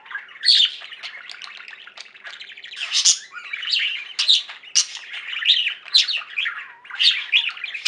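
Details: Singing flock of pet budgerigars producing nonstop chattering warble, fast ticking chirps and scratchy buzzes, punctuated by loud high squeaks.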